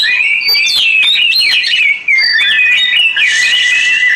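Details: Oriental magpie-robin singing a continuous, fluid warble of whistled notes that slide up and down, with a brief pause near the middle. A soft hiss of flowing water joins toward the end.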